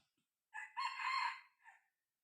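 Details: A softer, more distant-sounding junglefowl crow during a field trial of a six-month-old decoy cockerel luring wild junglefowl: a rough, buzzy phrase swelling in the middle, then a short fading tail.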